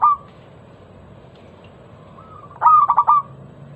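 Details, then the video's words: Local zebra dove in loud lure song for prompting other doves: a brief coo at the start, a pause, then a rising lead-in note and a rapid burst of five pulsed coos. "Masteran pancingan burung perkutut lokal suara Lantang kristal"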